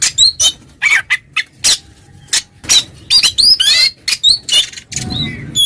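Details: Oriental magpie-robin (kacer) in ngeplong song, calling a rival that becomes agitated; loud sharp whistled notes and harsh rasping bursts alternate with short gaps, high-pitched and choppy.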